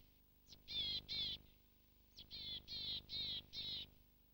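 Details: Willow tit giving its nasal call, used to tell it from the marsh tit: a thin high note, then harsh, buzzy, drawn-out 'taah' notes in runs of two and four.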